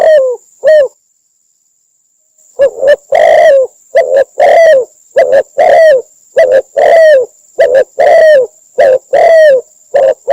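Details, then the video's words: Spotted dove call from Cambodia, used as a trapping lure: after a pause, a fast run of loud, slightly rough coos, nearly one per second, some sliding downward, with a faint steady high whine behind. "Cambodia Sound Bird Spotted Dove mp3 សម្លេងធ្នាក់ទាក់សត្វលលក"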